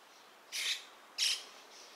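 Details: Dusky thrush (Turdus naumanni eunomus) at Gaikotsu-yama, 27 January 2021, with ambient background added from a separate recording. Two loud, rasping, high call notes about two-thirds of a second apart, then a faint third.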